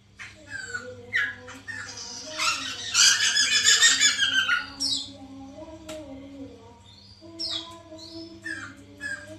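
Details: Lure recording of white-crested laughingthrush for stimulating a kept bird to sing: scattered sharp rising notes, then a dense, harsh cackling outburst lasting about two seconds, later short notes over a low wavering tone and faint hum.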